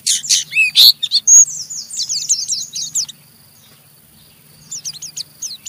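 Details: Oriental white-eye in rough 'ngeriwik' chatter that provokes other white-eyes to join in; loud burst of buzzy high notes and a trill, a short pause, then a softer thin twittering series.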